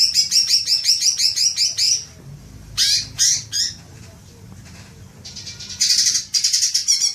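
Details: Green magpie lure call for triggering long chattering: a fast series of harsh pulsed notes, then a few separate harsh bursts and a final rapid chattering run.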